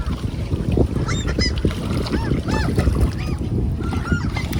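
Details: At Tveitevannet in Bergen, Norway, ducks crowd around for hand feeding on a windy June day, uttering repeated arched, ringing calls one after another throughout, backed by heavy wind buffeting.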